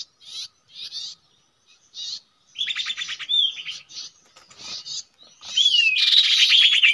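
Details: Common iora at a regular nesting site used for bird trapping: separate rasping bursts, then a dense run of buzzy notes with a smooth whistle, ending in a loud, continuous hissing chatter.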